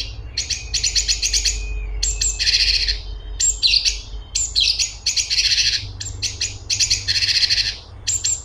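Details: Energetic light-vented bulbul song made of quick runs of clipped, chattery notes. Phrases break off briefly and start again, over a low background hum.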